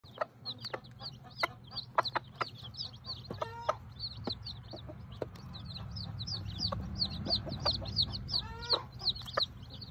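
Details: A tiny bantam Sebright hen with the ten baby chicks she hatched from hidden eggs: thin, arched high peeps repeat quickly throughout, broken by two short harmonic hen calls, with scattered clicks and a steady low hum.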